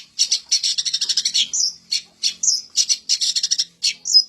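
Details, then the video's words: Long-tailed shrike singing a fast scratchy chatter of high notes in quick clusters, broken by short gaps and a few slurred whistles. "suara burung cendet isian mantan"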